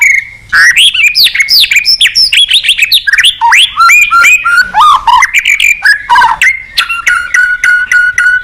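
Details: Varied, richly phrased white-rumped shama song played to prompt other shamas to sing, a dense stream of upslurred and downslurred whistles ending in a quick string of clipped repeated notes.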